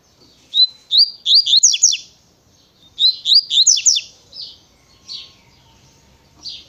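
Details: Double-collared seedeater singing the fast 'tui tui pensa' natureza song style: two close bursts of bright whistles and steep sweeping chirps, then scattered softer buzzy notes.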